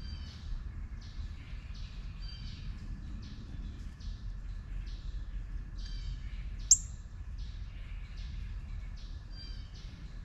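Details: Juvenile northern cardinal calling steadily: short, high, downslurred notes repeated about twice a second, with one sharper, louder chip partway through over a low rumbling background.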